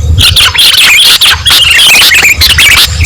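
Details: Sooty-headed bulbul song from a recording used to lure birds: rapid bubbly whistled phrases, wavering up and down in quick succession with almost no pauses, over a steady low rumble.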